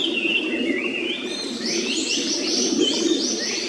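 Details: Japanese paradise flycatcher by its nest in a quiet wood along a clear stream: a rising whistle, then a series of quick high repeated notes, set against constant flowing water.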